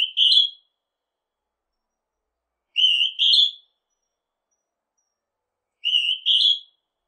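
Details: Northern hawk-cuckoo calling, from a 2020 recording: clear whistled two-part phrases, a level note followed by a slightly higher one, repeated about every three seconds against silence.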